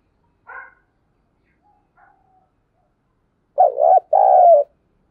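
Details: In the half-light of dawn, a spotted dove gives a low coo phrase in the thúc gù or calling style: a quavering note, then a drawn-out steady one. A soft chirp from another bird comes first.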